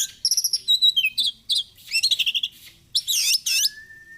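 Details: Oriental magpie-robin song used for training and morning and evening therapy: fast series of clear high whistled and chattering notes in short bursts, loud looping phrases, then one long steady whistle, against a quiet background.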